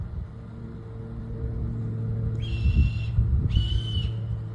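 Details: Juvenile Red-tailed Hawk begging loudly to be fed: two high, drawn-out screechy calls about a second apart, the first lower-pitched, possibly two young calling, over a steady low traffic rumble.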